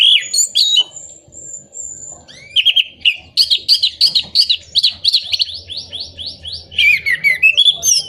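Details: Orange-headed thrush singing as a lure for moulting birds, birds that have stopped singing or lack breeding condition. Thin drawn whistle, then quick repeated high chirps and tumbling trilled phrases, lively and rich, with a faint background hum.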